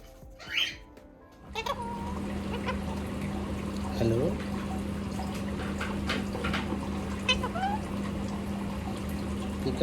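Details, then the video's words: A male talking Indian ringneck parakeet gives one sharp squawk, then short speech-like phrases such as "hello", "peekaboo", "kiss me" and "good morning" over a steady low hum, with faint music behind. "Talking Indian Ringneck Parrot"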